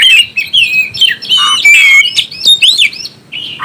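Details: Oriental magpie-robin singing to stir up other birds: bright whistled phrases, a long clear slurred note and sharp squeaky calls, fading quieter near the end.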